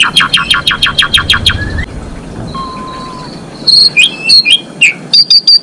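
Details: Female Asian pied starling singing to bring males into breeding condition; a fast run of clicking notes, a pause with faint thin whistles, then loud scratchy chirps and rising squeaks.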